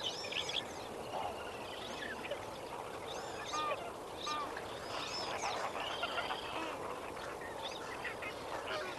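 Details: Honking chorus of lesser flamingos at sunrise at Kamfers Dam, 18 May 2024: many overlapping nasal calls, some rising and falling in pitch, with a few louder near honks standing out against the constant colony hubbub.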